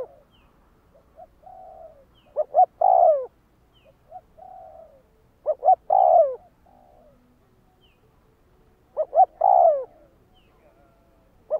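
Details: Spotted dove for decoy training calling in three spaced bouts about every three and a half seconds: a soft low coo, then quick hollow notes ending in a loud falling coo.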